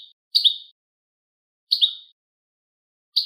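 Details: Goldfinch and linnet hybrid, recorded to stimulate other birds to sing: three bright, high chirps, each a short clipped note with a quick downslur. They come about every one and a half seconds with silence between.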